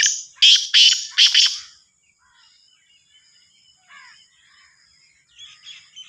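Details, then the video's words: Sindhi black francolin, called kala teetar, from Sahiwal: a loud harsh series of four grating buzzy notes in about two seconds, then quiet with faint chirps of other birds in the background. "Sindhi Kala Teetar ki Awaz"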